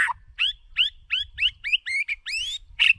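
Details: White-rumped shama decoy bird delivering a string of clear, upward-curving whistles repeated roughly every third of a second, ending with a rising drawn-out whistle and a harsh buzzy note.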